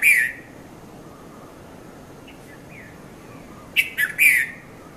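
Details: Red-vented bulbul (Konda Kurulla) at dawn, 5:30–5:40 a.m., Mount Lavinia, Sri Lanka, Nikon Coolpix P510: a bright note opens, faint soft chirps follow, then a crisp three-note phrase of quick chirps near the end.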